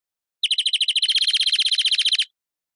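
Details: Single rolling trill from a European greenfinch, roughly twenty quick, evenly spaced notes delivered in under two seconds, steady in pitch, with silence around it.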